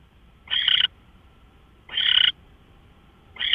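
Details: Owl recorded at 5:27 AM on March 24, 2013 via a live camera. Two drawn-out, rasping hisses about one and a half seconds apart are followed by the start of a third.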